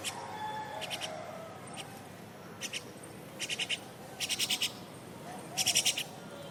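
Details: Myna birds, parents still feeding a grown-up chick that already searches and eats for itself, while scolding it; harsh, raspy bursts of rapid repeated notes in groups of three to five, growing louder, with soft tonal notes early on.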